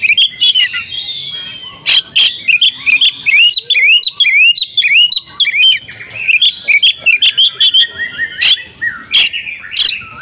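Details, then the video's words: Oriental magpie-robin (kacer) giving an agitated fighting song, fully worked up and replying at once: a dense, rapid stream of sharp whistled and upslurred notes, with clicks and harsh chips, almost without pause. "kacer tarung full ngotot"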